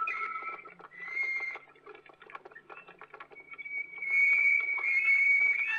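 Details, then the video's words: Waterslager canary on an old Belgian record: short high whistled phrases, a soft scratchy clicking passage, then a long thin sustained higher whistle. "Old Canary Waterslager Song - カナリアの鳴き声"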